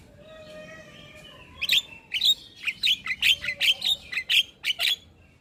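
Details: Javan myna sounds used to coax a myna that has stopped singing. Faint drawn-out whistles open, then about eleven sharp, high chirps follow in a fast, fairly even series.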